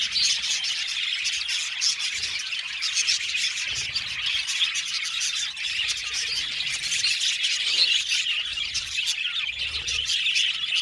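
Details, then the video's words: Australian budgerigars in an aviary colony, a long stretch of constant overlapping chirps, warbles and brief squawks from the whole flock. "Budgies singing and chirping sound"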